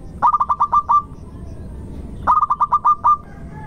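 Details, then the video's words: Local zebra dove singing, used as a lure to set other doves singing: two phrases of rapid, stuttering mid-pitched coos, about seven quick notes running into a longer drawn final note, the phrases two seconds apart. "irama Tembakannya ngotot di awal panjang di belakang merdu di tengah pancingan Perkutut Lokal Gacor"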